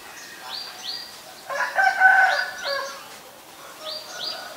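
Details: Common myna in Ubon Ratchathani, Thailand, on May 4, 2022, filmed with a Nikon P1000: paired rising whistles open and close a loud burst of gurgling, grating chatter in the middle.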